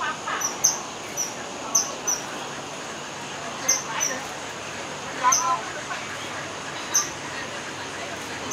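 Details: Kingfisher giving short, thin, high-pitched piping notes at irregular intervals, sometimes paired, against a constant shrill tone and a hissing background.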